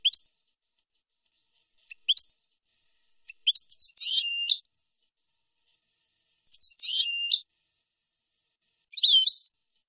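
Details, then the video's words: European goldfinch song from a clean tutoring recording for teaching young birds, in the nahrat and taqasim style: short high twitters at intervals, with three buzzy, rasping phrases spaced a few seconds apart on a silent background. "شريط لغة حسون نهرات وتقاسيم"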